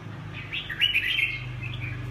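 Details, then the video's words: Brief Huế xoè style song of a red-whiskered bulbul, a quick run of sharp chirped and slurred whistled notes, with a constant low humming background. "Huế xoè -Kênh về chim Chào mào"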